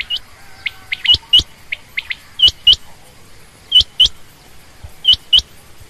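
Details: Female quail giving high chirps in twos, the first few softer and quicker, then louder evenly spaced pairs about every second or more.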